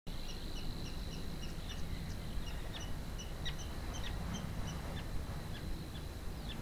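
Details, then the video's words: Savi's warbler reeling from a bush at least 200 metres away at RSPB Minsmere in May 2017: a faint, steady high buzz held without a break, with short chirps from other birds and a heavy low wind rumble. "Reeling Savi's Warbler"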